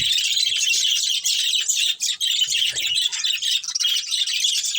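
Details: Budgerigars, a breeding pair within a colony, chattering in a dense, continuous stream of high chirps and warbles with barely a pause, brief dips near two seconds.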